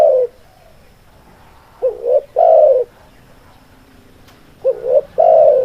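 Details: Spotted dove giving two cooing phrases, each a quick hoarse double note then a longer, fuller coo, separated by a pause of about three seconds, with low background hum.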